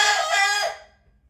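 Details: Rooster in a bedroom in Sichuan, China, on May 17, 2025, crowing loudly to wake its sleeping owner after climbing onto the bed and pecking her; a rich, harmonic crow holds strongly, then fades away within a second.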